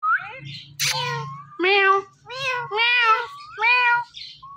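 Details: Talking Indian ringneck parrot, a pet, repeating meow-like calls about every second, each harmonic and slurred, with a short sharp burst early on and a low hum underneath.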